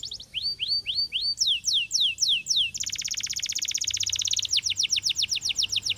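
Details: Canary singing: rising upslurred whistles repeated about twice a second, then descending slurs, a dense fast rattling trill, and finally rhythmic falling notes.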